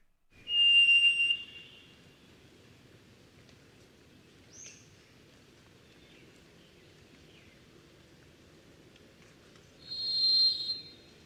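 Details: Varied thrush song, a tremolo-like, almost artificial-sounding tone: a long, eerie, buzzy whistled note, then a pause of about nine seconds before a higher-pitched note, with a soft chirp in between.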